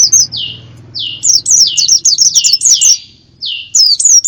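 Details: Lure recording meant to draw in wild birds: repeated high, falling whistled notes in quick clusters, some twittering overlaps, with a faint low hum underneath.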